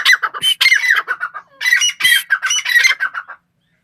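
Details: Grey francolin, called tetar, giving loud, harsh, ringing phrases of rapid grating notes in two bursts, the second after a short pause, then silence.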